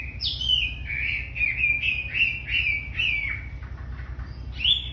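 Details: Energetic song of a very tame wambi: a series of bright whistled notes falling in pitch, repeated in quick succession, then a brief pause and a rising note at the end; low hum underneath.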